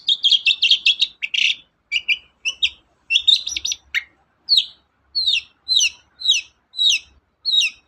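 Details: Energetic long-tailed shrike song serving as a lure to set other birds singing: rapid chattering notes at first, then a clear series of sharply down-slurred whistles repeated roughly every half second.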